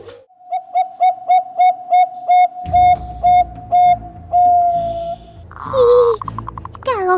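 Zebra dove cooing: a quick run of about eight clear, hollow notes, then a few longer drawn coos, before music and a voice take over.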